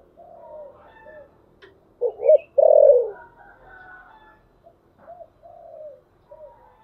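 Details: Spotted dove calling as a lure for wild birds, 'thổ sấm' voice: quiet murmuring coos, then a sharp double note and a strong, sustained falling coo, followed by softer trailing coos.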